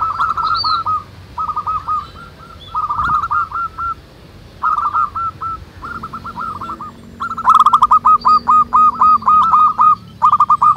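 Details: A lively chorus of local zebra doves in the wild: loud bursts of rapid staccato coos, phrases repeating several times a second, overlapping callers and occasional high chirps from other birds.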